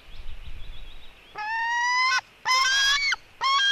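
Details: Female white-tailed eagle eaglet scuffling with her brother at 16:09. After faint thin peeps, three drawn-out harsh squealing cries sound in close succession, each steady in pitch and ending abruptly, the middle one dropping slightly at its end.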